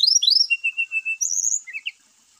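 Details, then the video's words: Song of a brown-chested jungle flycatcher, played to stir reluctant caged birds into singing. Rising, slurred whistles give way to a steady series of even, flat whistled notes, then a high trill and a few quick chirps. "PANCING ATAU PERANGSANG EMOSI SRDC MALAS BUNYI,SIKATAN RIMBA DADA COMLAT GACOR"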